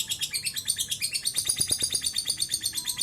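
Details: A lovebird's long ngekek trill meant to prompt other birds to sing, heard as a steady stream of rapid high chirping pulses at an even rhythm.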